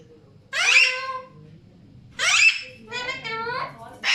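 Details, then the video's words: Alexandrine parakeets giving harsh, raspy squawks, three drawn-out calls and the start of a fourth within four seconds, against a quiet indoor background. "Alexander parrots making beautiful sounds"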